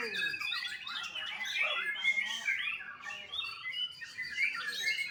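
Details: Young white-rumped shama at a bird farm in Bali chatters in quick, high, tumbling notes mixed with short whistles, a busy and unbroken stream of sound.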